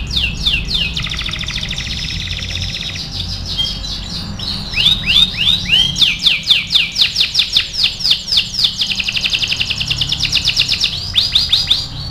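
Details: Loud canary song for training: a dense high buzzing trill, a tumble of mixed slurs, then strongly pulsed repeated notes about four per second, followed by another rapid high trill.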